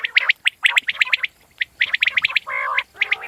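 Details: Common quail calls come in tight runs of short, bright pips, grouped in bursts with brief gaps, plus a harsher buzzy note near the end.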